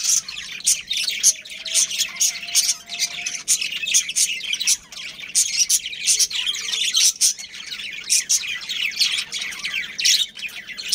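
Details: Steady high chatter from captive budgerigars, a breeding pair among a colony: clipped tweets and grating squeaks repeating in fast uneven runs throughout.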